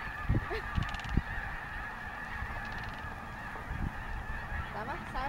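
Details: Snow geese at Bosque del Apache National Wildlife Refuge, a dense honking chorus with a few louder nearby calls early on and low thumping noise.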